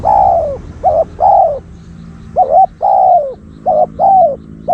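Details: Decoy spotted dove luring wild doves gives loud, hollow coos in uneven groups. Short doubled notes alternate with longer drawn-out ones, roughly one per second, against quiet low rumble.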